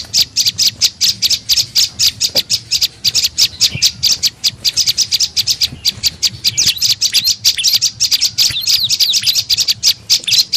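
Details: Lure call of the tailorbird known locally as prenjak lumut, used to draw birds in: a dense, nonstop stream of high, scratchy chirps, fast and crowded with brief slurred notes.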